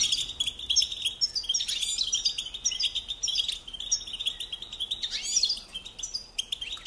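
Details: Goldfinch singing to tutor songbirds: continuous bright twittering with trills and chirps, set against a steady background noise.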